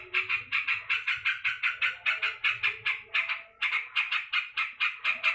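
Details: Yellow-vented bulbul in an angry mood: rough, rasping notes fired in fast series, a brief pause, then the harsh chatter resumes just as quickly.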